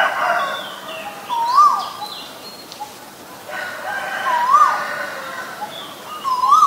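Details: Asian koel giving a rising then falling whistled note, heard three times at irregular gaps, mixed with a busy chorus of other birds, chirps and a crowing-like sound.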